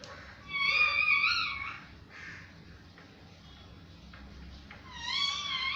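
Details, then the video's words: Parrot producing a drawn-out, tonal, wavering call, then soft scratchy sounds and a second whistled rising call near the end, over low hum. "parrot voice"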